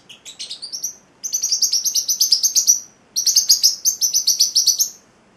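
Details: Celestial parrotlet, an 8-week-old male pet, singing in two long bursts of rapid, high, buzzy chirps repeated several times a second, separated by a short pause, with a few scattered opening notes; quiet indoor background.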